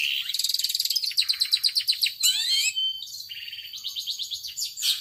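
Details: A long-tailed shrike's power sobek song opens with a rapid, rattling string of high clicks, then shifts into rising whistles and a mix of varied chirps and trills.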